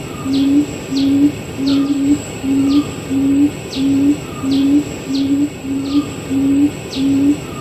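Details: Barred Buttonquail (Turnix suscitator rostratus) call: a long series of low, hollow hooting notes, about one and a half per second. A steady insect whine and faint high bird notes sound behind.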